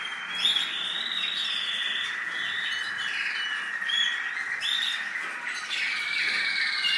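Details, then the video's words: American singer canary from the UAE singing varied warbled phrases, with sharp upward-sweeping whistles, rolling trills and short pauses between bursts, louder accents near the start and around four seconds. "American Singer Canary"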